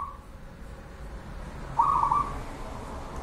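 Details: Local perkutut (zebra dove) singing bedah karang nabuh kentongan: the end of one coo, then a full rolling, pulsing phrase around the two-second mark, set against a quiet, even background.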